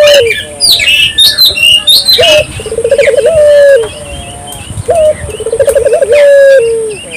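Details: Calling spotted dove used to provoke local doves into calling: after a burst of high twittering from other birds, two full phrases of a short rising note, throbbing trill and prolonged steady coo, the second ending in a falling tail.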